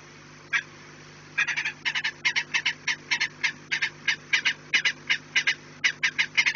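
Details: After a short quiet spell and one lone note, a peregrine falcon at the nest breaks into continuous raspy cackling, about three calls per second; 4 March 2019, 16:28, low hum behind.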